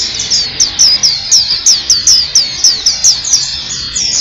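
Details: High sweet downslurred whistles from a black-capped white-eye, repeated about three times a second in an even, chattering string over a faint low hum.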